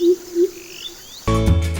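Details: Greater Coucal (crow pheasant), Sri Lanka, giving two deep, hollow hoots about a third of a second apart; music then swells in and drowns the rest.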